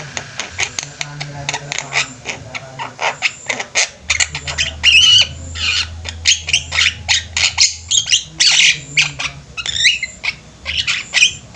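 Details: Several javan mynas kept together in a flock, singing actively: a busy stream of harsh squawks, chattering notes and short whistles packed closely over eleven seconds, with a low steady hum underneath.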